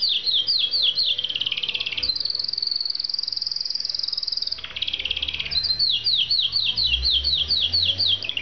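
Canary song: quick runs of high, falling whistled notes, then a long steady rolling trill of about two and a half seconds, then more falling notes. A faint low hum sits underneath.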